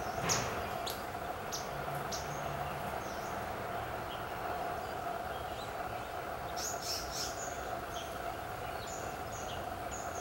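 Thin, high chirps of a grey-headed canary-flycatcher come in brief scattered bursts over a steady low mechanical hum.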